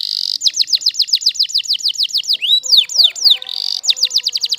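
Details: Waterslager canary singing loud, repeated downward-swooping whistled notes at a brisk rate, with a few lower notes in the middle, then a short buzz and more swoops.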